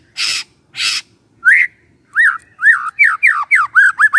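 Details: White-rumped shama song used in the morning to provoke silent shamas into singing: two harsh raspy bursts, then a pause and a quickening run of loud whistled, slurred notes, rising and falling, repeated in close succession.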